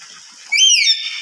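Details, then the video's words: A lory gives one loud, shrill screech of about half a second, rising then falling in pitch over a steady background hiss; such very loud calls are usually given when the bird feels uncomfortable, e.g. angry or hungry. "Suara keras dan melengking burung nuri"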